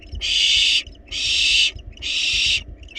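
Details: Begging barn owl chicks inside a wild nest box, demanding food despite being well fed, give long rasping hisses, each close to a second long, separated by short gaps.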